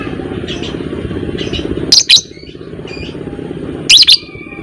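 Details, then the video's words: Lovebird, fighter type, in a lure recording for ngekek chattering; two paired bursts of piercing high screeches about two seconds apart, with fainter chirps from other birds and a steady low rumble behind. "Burung lovebird FIGHTER Ngekek panjang"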